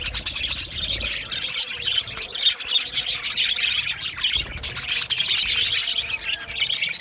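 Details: Budgerigars in an aviary colony, a steady wash of high overlapping chirps and twittering warbles, briefly thinning before swelling again.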